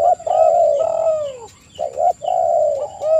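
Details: Spotted dove (tekukur) cooing to draw other doves: drawn-out coos that slide downward at their ends, a brief pause, then another pair of sustained coos and a clipped final note.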